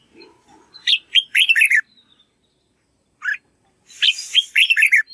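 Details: Red-whiskered bulbul practising song to teach young birds: a quick chattering run of warbled syllables, a lone chirp after a pause, then another fluty phrase over a hissing noise burst.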